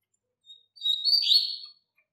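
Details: Double-collared seedeater teaching song for young birds: a soft opening chip, then a loud high whistle merging into a rich buzzy warble that fades out.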